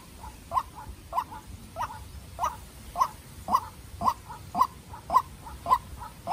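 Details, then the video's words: Young decoy White-breasted waterhen in a calling contest with a wild bird: rhythmic harsh mid-pitched calls, loud notes alternating with soft ones about every half second, growing slightly louder through the passage. "Quốc Mồi Tơ Ra Trận Gặp Bổi Rừng Đấu Cực Căng"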